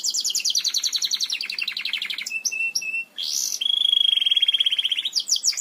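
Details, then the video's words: Belgian canary singing a teaching song for canaries: rapid pulsed trills slide downward, a few clear piping notes follow, then a long, fast, evenly beaded rattle. "CANTO PARA ENSINAR CANÁRIOS BELGAS"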